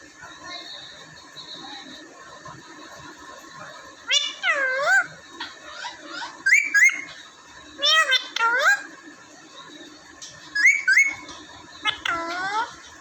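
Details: Talking Alexandrine (Raw) parakeet kept indoors in Vehari, Punjab, Pakistan, recorded on a phone. Quiet stretches are broken by bursts of harmonic, rising and falling speech-like squawks and whistles, with human voices in the room.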